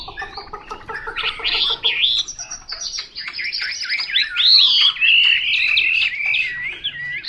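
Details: Chinese hwamei, a wild-type bird, singing a loud, varied stream of whistled phrases that slide up and down, with rapid chattering notes and looping warbles running continuously throughout.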